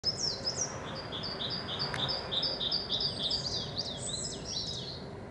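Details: In spring, a coal tit sings a quick string of high, thin two-note phrases, repeated several times a second, over background calls of great tits and chaffinches.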